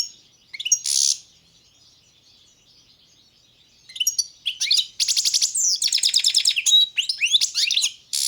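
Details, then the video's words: European goldfinch (Carduelis balcanica) giving a couple of brief high chirps, falling quiet for about three seconds, then launching into dense twittering song with buzzy rattling trills. "Pesma štiglića, češljugara , grdelina, lokera carduelis balcanica"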